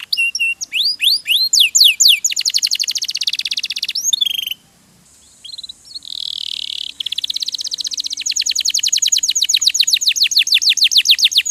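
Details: Caged canary song recorded for teaching songbirds: quick swept whistles and chips, a buzzy rolling passage after a short pause, then a long, steady trill of rapidly repeated high notes.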